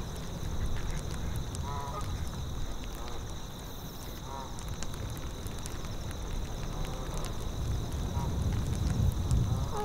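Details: Geese in a tundra soundscape, giving faint, scattered nasal honks every second or two over a steady rush of wind and high, even cricket chirping.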